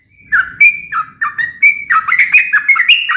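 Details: Sooty-headed bulbul fighting song, used to make other bulbuls sing back: quick whistled notes dipping and rising in a busy, chattering sequence, with a faint low rumble underneath.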